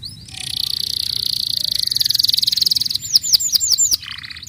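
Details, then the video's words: Singing canary, used to coax untrained canaries into song: a long dense buzzy trill holds for almost three seconds, then a handful of loud falling whistled swoops and a short low rasp close the phrase. "KENARI MANTAP Untuk Pancing bunyi burung kenari bahan"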